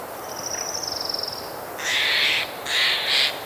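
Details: In spring woodland by day, a magpie gives two harsh, rasping chatters, each over half a second long, with a Hermit Thrush and other birds in the background; a thin, high, fluttering whistle comes just before.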